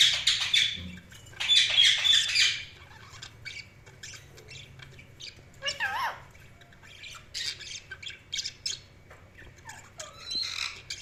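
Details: Budgerigars chirping: loud scratchy chatter at the start, then softer scattered clicks, sharp ticks and a few whistled rising-and-falling notes over a low background hum.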